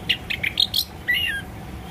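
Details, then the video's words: An orange-headed thrush sings in the morning: a quick run of five or six bright, varied chirps, then a longer slurred whistle falling slightly in pitch; meant to prompt silent birds to sing. "BURUNG ANIS KEMBANG MACET BUNYI"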